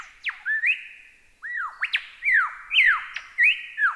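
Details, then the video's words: Lyrebird mimicry-style song in a masteran recording: clear, loud whistles sweeping down then up, overlapping slurred phrases repeated with little pause. "Masteran Burung Lyrebird"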